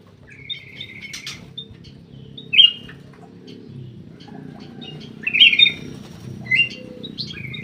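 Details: Black-crested bulbul in an aviary utters scattered sharp whistled notes and short warbled phrases with pauses between them, set against a steady low mechanical hum.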